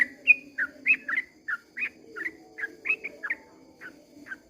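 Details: Sooty-headed bulbul singing a long 'ropel' song at dawn: quick, clear whistled notes, each bending up or down, poured out about three per second over a low steady hum.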